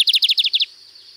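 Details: Lined seedeater at Sítio Paraitinga, Cunha, singing a 'canto diferenciado' style song: a quick burst of about eight high, paired, downslurred notes lasting under a second, over a steady high insect hum.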